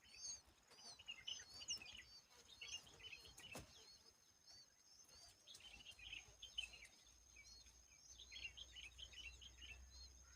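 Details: Asian babbler cleaning bugs and shielding its babies from them: a busy scatter of short, high chirps and chattering notes throughout, with steady faint insect hum in the background.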